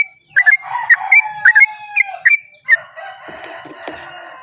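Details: Sooty-headed bulbul in long dawn 'ropel' song meant to prompt other bulbuls: a few bubbly, slurred notes over two seconds, then a rooster-like crow and rustling noise, with a high insect hum throughout.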